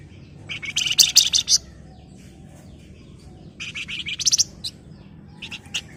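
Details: {'text': 'Golden-bellied gerygone in busy chattering song, delivering two bursts of quick, high, piercing trilled notes separated by a quiet gap, then a couple of faint chirps.'}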